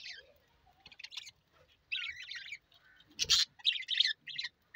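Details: A pair of budgerigars (Melopsittacus undulatus) chatter in bursts of scratchy, warbling notes broken by short pauses.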